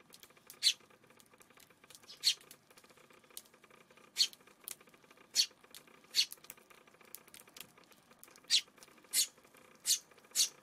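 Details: Spaced single chirps from a Eurasian tree sparrow on a June 5 afternoon, about ten harsh notes at one- to two-second intervals, over a steady faint hum.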